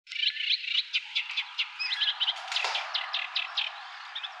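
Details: A Eurasian reed warbler at RSPB Marshside sings a steady, chattering string of harsh, scratchy notes, several per second, repeating each phrase two or three times.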